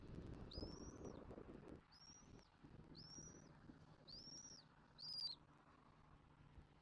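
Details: Bald eagle adults feeding their chick at a Southwest Florida nest, nest camera recording from 06/01/2024. Five clear high whistles, each rising then falling, come steadily about one per second. The last note is the loudest, over soft background noise.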